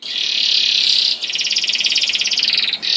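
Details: Young canary song used as a lure to get other canaries singing: a long, even buzzy roll, then a rapid pulsed trill, and another buzzy roll at the end.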